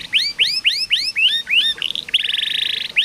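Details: Canary singing in a training recording meant to coax canaries that are reluctant to sing: a quick series of clear, upward-sweeping whistles about four per second, then a rapid buzzy rolling trill, ending with another rising whistle.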